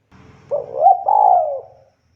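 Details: Spotted dove in vigorous voice with a single mellow, low coo phrase: a short rising note, a brief break, then a sustained hollow tone that trails off. A faint low hum sits underneath.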